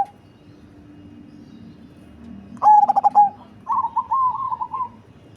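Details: Cemani zebra dove with a large body and heavy, bassy voice sings one phrase of rapid pulsed coos ending in a held tone, answered by a softer rolling trill after a quiet start.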